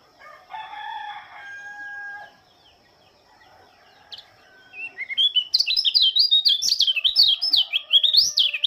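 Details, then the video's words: Oriental white-eye (local name pleci) from Lombok singing at dawn with the morning dew: after a few low harsh notes, a loud, rapid run of high twittering, warbling phrases rising and falling continuously over the last three seconds. "Kicauan burung pleci lombok sang penyambut embun pagi"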